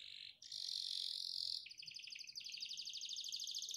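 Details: Canary song recorded as training material for caged birds: a long, loud buzzy rolled trill shifting between pitches, then a rapid pulsing chatter of clipped notes, with faint low background hiss.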